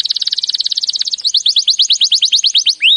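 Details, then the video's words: Canary singing a training song, opening with a very rapid rolling trill of bright notes that shifts into slower, separate upward-sweeping whistles repeated several times a second, ending on one longer rising whistle. "Birds song Canary ❗suara Burung Kenari"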